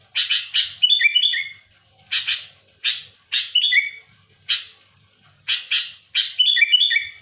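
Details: Active sooty-headed bulbul singing loudly to challenge rival birds, alternating coarse harsh bursts with bright falling whistled notes in clusters, with quiet gaps between groups.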